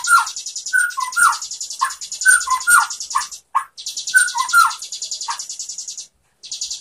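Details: White-rumped shama song meant for training other shamas: rapid buzzy high chattering overlaid with short mellow whistled notes, repeated in quick bursts with brief pauses.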